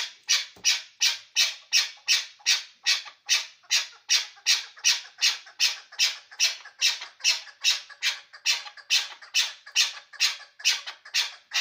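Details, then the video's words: Steady, rhythmic chukar partridge calling at Ishkoshim: nearly thirty harsh, rasping chuck notes delivered evenly at about two and a half per second over twelve seconds. "Кабки Ишкошим"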